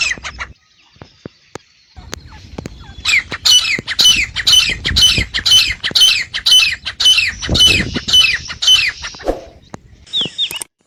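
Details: Iranian or Dhakni partridge (titar), male or female, calling: after a few seconds of quiet clicks, a run of sharp, high, squawking notes repeated about twice a second for six seconds, then a short scratchy burst at the end.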